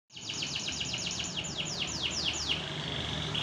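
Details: Canary in competition training singing a fast series of about a dozen downward-sweeping high notes, each slurring from high to lower pitch, the last ones slower and stretched, over a low background hum.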